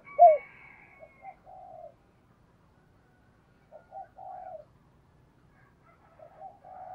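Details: Morning cooing of a decoy spotted dove calling to wild doves: one sharp loud note, then softer, drawn-out low coos in spaced phrases, with quieter coos returning near the end.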